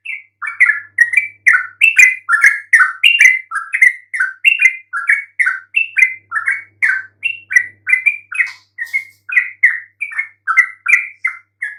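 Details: Lure song of a yellow-vented bulbul, meant to provoke quiet bulbuls into replying: a long, steady stream of gurgling, mellow chirps, evenly spaced warbled notes that rise and dip without pause for nearly twelve seconds.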